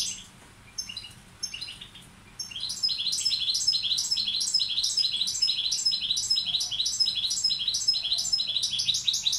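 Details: Carduelis balcanica goldfinch tutor bird: after a few scattered chirps, a steady rhythmic series of repeated twittering, rising notes runs on at about two per second.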